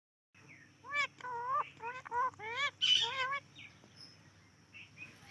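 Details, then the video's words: A talking parrot playing with guava gives a run of loud, harmonic, speech-like calls, each an arched, rising-and-falling note repeated in quick succession, ending with a harsher squawk. Faint background hum. "Funny Talking Parrot Playing with Guava"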